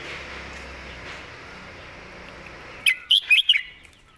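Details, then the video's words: Caged red-whiskered bulbul performs its main song pattern, phrased clearly: about three seconds of steady background hiss, then four quick, bright, whistled chirps in a short burst. "วางสำนวนชัดๆ"เดินเพลงแม่บท ชัดถ้อยชัดคำ"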